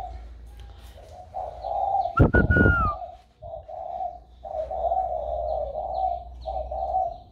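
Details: Spotted dove on 16 February 2020, its voice newly turned warm: smooth low coos broken by a sharp loud clatter near the start, then continuing steady cooing with faint distant chirps.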